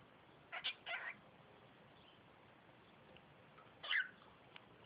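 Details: Pet cockatiel, a five-month-old female, giving two quick scratchy chattering notes, then a louder squeaky burst about three seconds later, as it talks near its owner.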